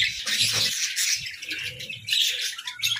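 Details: A group of pet budgerigars playing in their hut: a steady wash of high twittering and warbled chirps, briefly softer mid-clip, with low bumps and rustles in the background.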